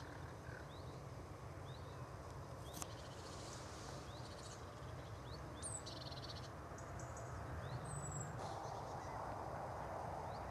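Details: Spotted crake at Greylake RSPB Reserve, Somerset, giving faint, short, upward-whipped 'hwit' notes about once a second, over a steady low rumble with thin high whistles from other birds.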